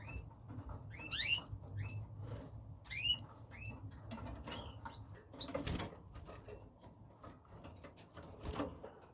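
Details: Red factor canaries, newly acquired, heard giving clusters of short, sharply rising chirped notes, some doubled, spaced irregularly over a low background hum with faint rustling and tapping in between.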